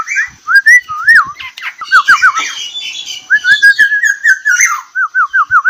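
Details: Rich fluty whistling from a black-naped oriole, known locally as kepodang, in tight 'ropel rapat' style: bouncing looped notes, a few harsh squawky overtones, then a steady string of five rapid wavy whistles at the close.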